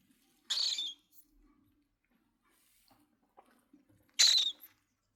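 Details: Cockatiel uttering two short raspy screeches about three and a half seconds apart, each harsh and noisy, with soft clicks and faint shuffling between them.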